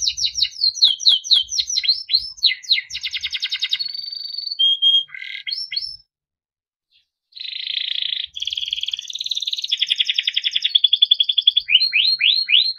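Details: Yellow Timbrado canary giving a long varied song. Repeated downslurred notes and rattling trills lead to a level whistle, then a pause of about two seconds, then buzzy rolling tours and more sweeping notes.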